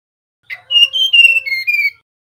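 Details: Male mangrove blue flycatcher nyiul whistling: a quick short note, then five or six sustained pure whistles alternating slightly higher and lower, ending on a lower tone.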